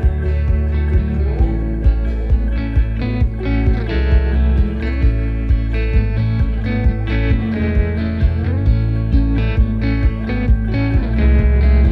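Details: Steady plucked guitar music with a regular beat plays throughout, and no animal sounds are heard.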